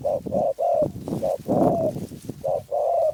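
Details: Cooing of a Spotted dove from Phrae, Thailand: repeated short and drawn-out mellow coos in a steady series, partly overlaid by low rustling and knocking noise.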